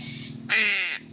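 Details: One short, harsh caw from a crow during feeding with fish, rough and broadband, set against a quiet low hum.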